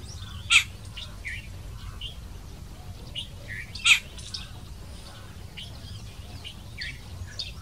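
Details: In Khambat, India, a jungle babbler gives two loud, harsh rasping squeaks about three seconds apart, among softer scattered chattering notes, over a steady low rumble.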